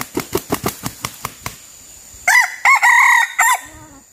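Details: Red junglefowl crowing while luring wild birds with a decoy. About eight quick wing-beat claps come first, then a short pause and a clear, strained crow in four harmonic-rich segments that fall away at the end.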